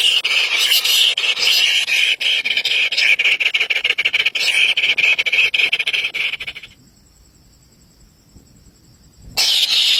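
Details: Three very hungry baby birds squeal in a harsh, high, rapidly stuttering chorus for nearly seven seconds, fall silent for about three seconds, then burst back into loud squealing.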